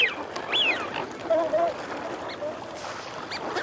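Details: Eurasian wigeon, male and female: one sharp arched whistle near the start, followed by a drawn-out lower growling note, with fainter whistles and flock chatter around them.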